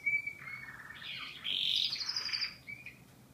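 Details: Canary song, fainter and rougher here: a brief clear high note, then a dense buzzy, warbling passage that fades into quiet.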